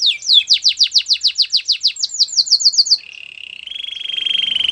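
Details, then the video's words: Training song of a canary: a rapid run of sweeping whistled notes speeding up, then a steady lower buzzy rolling trill held to the end. "Canary's training song"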